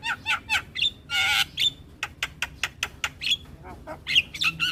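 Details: Morning Javan myna song for young mynas to learn: a quick series of sharp clicking chirps around a loud harsh buzzy burst, with a few whistled notes mixed in.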